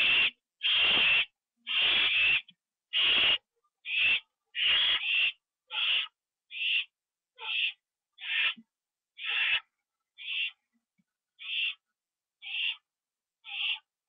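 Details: Owl nest at 9:54 PM on October 9, 2011, during delivery of a bird that is eaten inside. Long rasping hisses about once a second, shortening and fading into clipped, quieter bursts.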